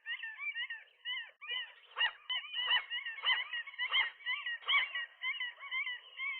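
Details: At a rooftop nest a newly settled gull pair rejects a lone gull intruding between them in the morning; steady rows of short arched yelps mix with sharper, louder barking notes and faint thumps.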